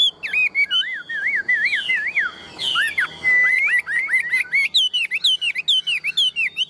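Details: Tame, large-bodied caged Chinese hwamei, a strong singer also kept for fighting, pours out a rich, fast run of looping whistled phrases that rise and fall, growing into rapid repeated sweeping notes.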